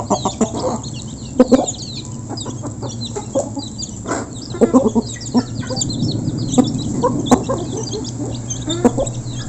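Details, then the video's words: Flock of local chickens recorded up close while being fed: scattered short clucks over a constant bed of feeding noise and pecking taps. "Local Chicken Backsound While Eating | Efek Suara Gerombolan Ayam Saat Dikasih Makan"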